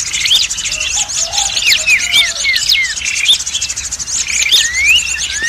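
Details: Lure recording of prenjak merah (prinia) meant to attract prinias and other small birds; dense overlapping high chirps with rising and falling whistled slurs, a busy continuous chatter of several birds, and a few fainter lower notes.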